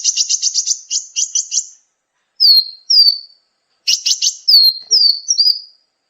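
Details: Sunbird known as kolibri ninja, recorded as a tutor for cage birds: rapid buzzy stuttered notes, then clear, high, downslurred whistles, with the stuttering returning before more falling whistles.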